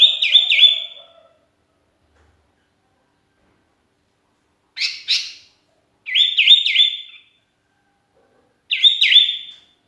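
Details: Lone sooty-headed bulbul calling companions, for use as a lure: short bubbly phrases of two or three liquid whistled notes, repeated every one to three seconds with long silences between.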